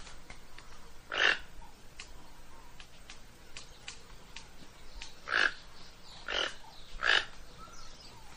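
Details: Toco toucan calling: four hoarse, grating croaks, one near the start and a close-spaced group of three a few seconds later, with faint chirps from other birds behind.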